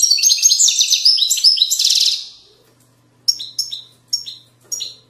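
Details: Widaniya-style goldfinch song from Moroccan valleys: two seconds of rapid, jangling high twitters and a buzzy flourish, a short pause, then four separate clipped, downward-sliding chirps spaced roughly half a second apart.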